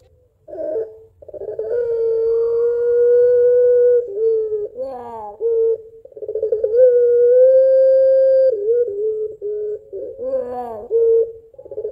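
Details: Pelung barbary dove in long "crying-laughing" calling to its mate: sustained mid-pitched coos several seconds long, separated by short quavering, bubbling notes.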